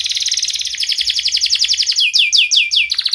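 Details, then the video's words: Caged canary singing its sharp 'cuit cuit' rolling song, played to get lazy or mute canaries singing. A fast, unbroken high trill of rapid repeated notes gives way to several louder, descending whistled slurs near the end. "KENARI GACOR Suara Tajam Cuit Cuit ngeroL"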